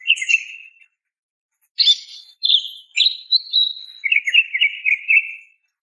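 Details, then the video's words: Calling female greater green leafbird summoning a male: a buzzy trill, a pause, then a series of clear whistles and slurred chirps ending in a long fluttering trill. "SUARA BETINA MEMANGGIL JANTAN"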